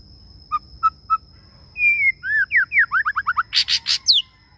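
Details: Male white-rumped shama decoy bird in long song. Three spaced clear piping notes, a drawn-out flat whistle, then a cascade of rapid curling whistles ending in loud harsh buzzy bursts, with a steady high electrical whine throughout.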